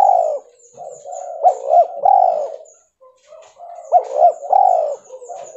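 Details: White albino spotted dove uttering two cooing phrases, each a pair of quick upward-flicked notes followed by a longer mellow coo, separated by a quiet gap.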